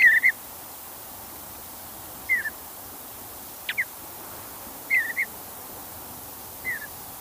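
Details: Wild mountain bluebird, soft slurred whistles falling in pitch, spaced one to two seconds apart, a few doubled, against a steady hissing background.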